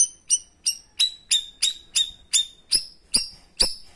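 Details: Cucak rawis, the cream-striped bulbul, in 'tembakan' song meant for training other birds and prompting silent ones: a steady run of about eleven sharp, ringing whistled notes, roughly three per second, growing harsher and fuller toward the end.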